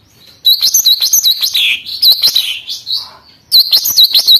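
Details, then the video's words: A very vocal lesser green leafbird in full song to stir up and tutor other birds. Two dense runs of rapid, high, ringing chirps are joined by a slurred falling whistle, then a short quiet gap before a third fast chirping run. "cucak ijo mini super gacor, ampuh untuk pancingan emosi burung bahan dan untuk masteran"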